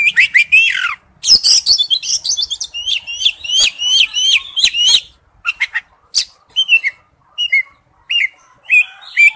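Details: Male oriental magpie-robin calling to a female: rapid rising whistles and a dense stretch of repeated zigzag chirps, then sparser whistled phrases with short pauses.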